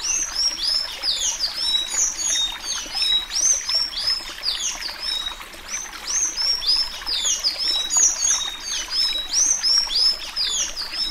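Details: Sayaca tanager of the Alagoano song type, its song used for training young birds: a hurried, jumbled, high, squeaky stream of thin twittering notes, about three a second, with no break and no other clear sounds.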